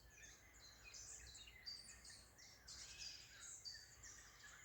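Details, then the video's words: Morning birdsong in the Spreewald, Germany, at 6:30: a mix of high twittering notes and brief chirped phrases from several birds, fairly soft against a constant low rumble. "Vögel 🐦 zwitschern"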